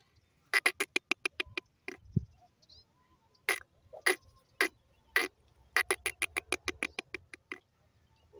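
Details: Wild grey francolin calling in bursts of loud, harsh broadband notes repeated rapidly, several series separated by short pauses, with faint low rumble beneath.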